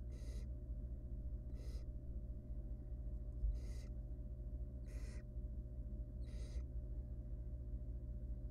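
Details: Barn owl nestling, wild, being fed a rodent by its mother in a research nest box; five short rasping hisses spaced about a second and a quarter apart, over a steady electrical hum.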